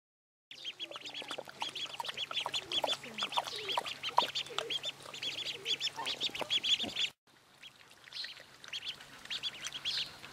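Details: A brood of two-day-old white crested domestic ducklings gives shrill, high peeps, many overlapping in quick bursts, over a low steady mechanical hum.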